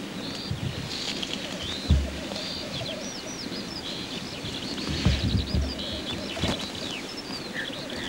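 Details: Male black grouse at a courtship display, a low continuous bubbling rookoo in two bands running throughout, under many high, quick chirps and slurred whistles from other birds, with a few soft thumps.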